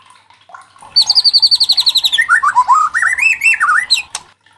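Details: White-rumped shama song played to spur other shamas to sing loudly: a brief soft note, then a fast high trill sliding into warbled, looping whistled phrases with quick high flourishes.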